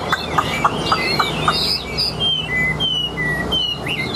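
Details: Singing Chinese hwamei from Vietnam, said to sing like a machine: a run of six short sharp notes, then long clear whistled slides, some rising and some falling.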